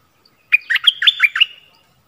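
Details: A bulbul kept as a decoy to draw wild birds, 16 March 2021, gives a single lively phrase of about six sharp, bubbling chirps that rise and fall over one second.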